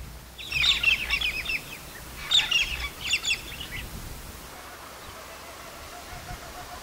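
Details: Wild galahs in Australia: two bursts of harsh, scratchy, high chattering calls, the first near the start and the second after about two seconds, then fading into quiet background hiss.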